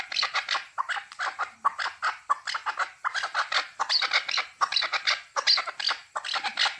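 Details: Chukar partridge in Tajikistan, 2020: a packed, nonstop run of harsh, rasping chattering notes in rapid succession, several voices overlapping throughout.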